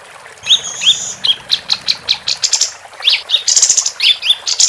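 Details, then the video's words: Actively singing female capped white-eye, tutor recording for competition songbirds: rapid, high chirps and upslurred whistles, then dense twittering phrases and buzzy bursts, steady and loud throughout. "Kapas Tembak Betina Gacor"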